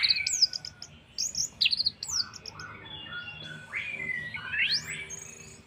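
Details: Orange-headed thrush song meant to make other birds sing along: varied high whistles and chips at the start, then softer lower slurred notes and rising sweeping whistles.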